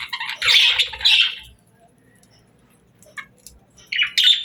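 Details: Pet parakeets playing, singing and talking: two bursts of harsh, scratchy chirps and squawks, one in the first second and a half and another near the end, with a near-silent gap between and a few faint short chirps.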